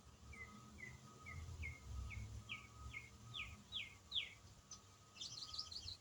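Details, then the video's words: One songbird sings an unbroken autumn song. A series of about eleven quick down-slurred chirps rises steadily in pitch and speeds up, ending in a brief jumbled twitter. A thin steady tone and low rumble sit beneath. "Autumn Songbird - What bird sings one complex riff for 8 minutes non-stop?"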